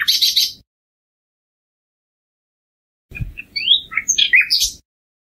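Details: Common nightingale with a short burst of buzzy high notes, then after a silence a scattered series of sharp, varied chirps and upward slurs.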